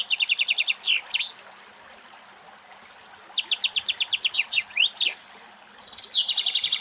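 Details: A common chaffinch singing in Greek nature gives bright, rattling phrases: quick notes tumbling down the scale, each phrase closing in a sharp flourish, then a new phrase begins.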